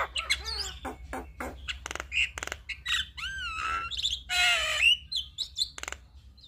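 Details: Javan myna singing energetically, a full-fill song used to tutor and prompt other starlings: a quick jumble of harsh buzzy bursts, clicks and sliding whistles, with a long raspy rush near the end and a steady low hum behind.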